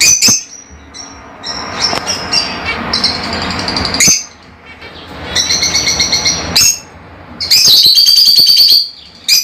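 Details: Pet lovebirds, small African parrots, chattering continuously in a busy high squeaky stream, broken by two brief silences, ending in a long shrill rising-and-falling squeal; a faint low hum underneath.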